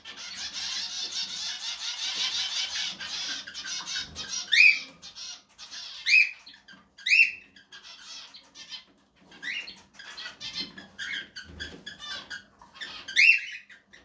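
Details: Cockatiel (Nymphicus hollandicus) during mating/breeding gives loud, shrill, rising squawks at irregular intervals over a steady hiss of noise.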